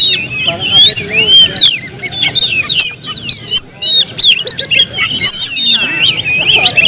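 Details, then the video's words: Continuous song of an Oriental magpie-robin: sweet whistled slurs, short twittering runs and abrupt clicking notes tumbling together, loud and varied throughout. "suara kicau burung Kacer"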